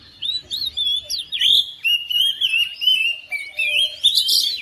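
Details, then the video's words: A domestic oriental magpie-robin joins in after hearing another bird, pouring out loud, varied whistled phrases, rising and falling slurs and short chirps in steady succession, closing with a harsher burst at the end. "KACER RUMAHAN RESPON NYAUT IKUT GACOR"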